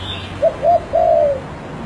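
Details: Spotted dove phrase: a short coo, a slightly longer coo, then an extended coo that slides down at the end, clear over soft background noise.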